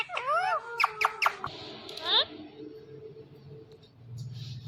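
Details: Ringneck parakeet speaking its name: quick rising and falling squeaky syllables, then sharp clicks and a rising squeal, fading into quiet room noise.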